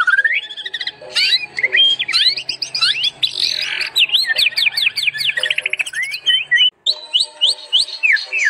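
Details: White-rumped shama singing actively, used as a master song for training: a dense, rich stream of loud slurred whistles, rising and falling notes and quick chattering bursts run together almost without pause.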